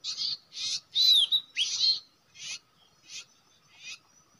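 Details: Common iora at its usual nesting site, a trapping location: short harsh chatter bursts repeated at uneven intervals, with one curved whistle near the start and softer bursts toward the end.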